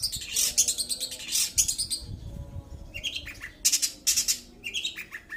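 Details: Long-tailed shrike giving 'roll' style song: loud bursts of harsh, scratchy high chatter and sharp chirps, a quieter spell around two to three seconds, then renewed squawky phrases, with some low rumbling noise behind.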